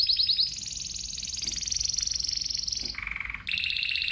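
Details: Spanish timbrado canary song over a low background hum: quick high notes, a long rolling trill, then a lower buzzy phrase and a return to high trilling.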